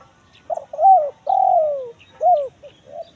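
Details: Spotted dove in the 'kuk 1 mersik' call style, used as a lure for wild birds in forest: a brief stuttered note, a rising-falling coo, a long drawn coo sliding downward, then a short arched note.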